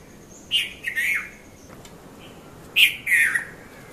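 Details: Red-vented bulbul (Konda Kurulla) in the early morning at Mount Lavinia, Sri Lanka: a chirp and slurred descending warble repeated twice about two seconds apart, a soft ticking note between.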